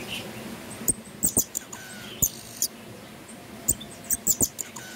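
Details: Pin-tailed parrotfinch singing in an aviary, giving very high, thin ticking notes and sharp clicks in irregular bursts, with a faint steady hiss behind.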